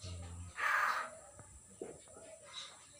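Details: Newly caught common hill myna, not yet talking, recorded 6 December 2022: one loud, harsh, buzzy squawk with stacked harmonics lasting about half a second, followed by faint low murmurs and soft clicks.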